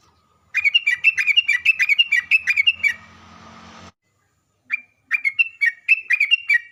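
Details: Lure song of a sooty-headed bulbul meant to provoke bulbuls into replying: a fast run of about a dozen bubbly, chattering whistled notes, a hissing break, then another quick string of notes.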